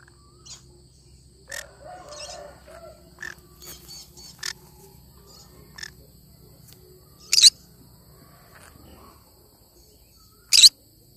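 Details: Cinnamon green-cheeked conure calling with harsh, broadband screeches, some short and faint, two much louder bursts near the end, spaced irregularly over the recording; low steady hum and soft background chatter underneath.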